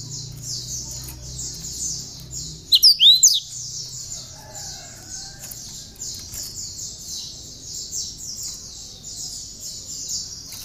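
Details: Cinereous tit song with borrowed bar-winged prinia notes, meant for tutoring other songbirds: a long run of rapid high repeated notes, broken near the start by a loud sweeping squeal.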